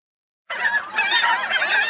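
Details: Black Skimmers in Texas give nasal, barking yaps that overlap into a dense chorus after a short silence.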